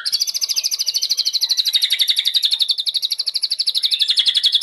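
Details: White-rumped shama in fighting style delivering an unbroken, very fast trill of high, sharp repeated notes, about four per second in pulses, holding an even pitch throughout.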